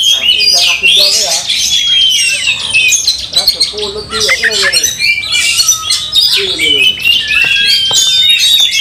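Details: Oriental magpie-robin in fighting mode, agitated and spreading its tail, meant to make other magpie-robins fiercer; loud, dense run of varied sharp whistles, rapid chattering and harsh squawky notes, with lower harmonic rasping bursts, continuous throughout.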